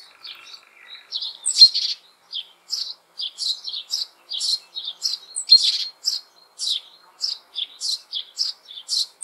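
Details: Spring chicks of sparrows in an apple tree hollow calling for food while parents feed them; a rapid run of short, high chirps and squeaks, starting softer and becoming a dense, steady chatter.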